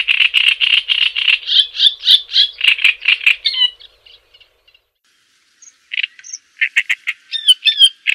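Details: Java sparrow singing in a tutor recording for training birds: rapid chattering runs of sharp, bell-like notes for about three and a half seconds, a near-silent gap, then renewed bursts of clicks and short whistled slurs.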